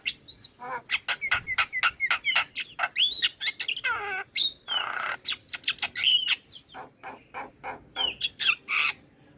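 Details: Javan myna song used as a lure to draw responses from other starlings: rapid run of harsh clicks and buzzy notes, about four per second, mixed with rising and falling whistles and squeaky chatter.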